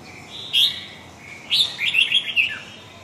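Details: Red-whiskered bulbul, huế gọng dài style: one sharp whistle, a pause, then a longer run of tumbling, fluty notes that drops in pitch at the close.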